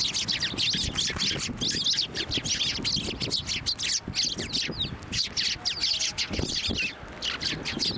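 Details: Flock of sparrows crowding onto a person's hand for food at Tenmangu shrine, 18 March 2024, giving a continuous busy chatter of sharp, high chirps and squeaky notes over faint low background noise.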